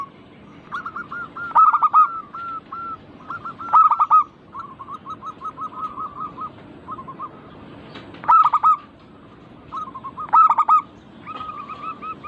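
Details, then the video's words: Local zebra doves in a chorus recording used to get birds singing: loud bursts of rapid cooing notes every two to four seconds, joined by long runs of soft, quick repeated coos from other birds. "Burung perkutut lokal Pancingan agar cepat bunyi cepat manggung"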